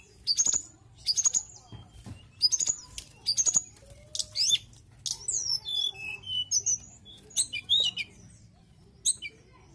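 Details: Mountain tailorbird in full song: four sharp, high buzzy bursts, then a run of clear whistled slurs that rise and fall. Short pauses separate the phrases, and a faint low hum runs through.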